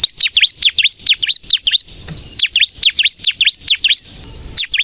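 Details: Lively bar-winged prinia song, used to lure birds and coax captive birds into singing: rapid high chirps in bursts, interrupted by a short pause midway, then continuing.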